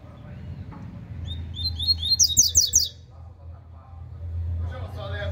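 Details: Double-collared seedeater giving its cicopata song, high thin whistles leading into a fast burst of sharp, bright chirps, over a steady low rumble like a passing vehicle.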